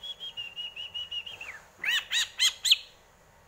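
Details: Greater green leafbird gives an even rapid trill that drops away, followed by four loud sweeping chirps.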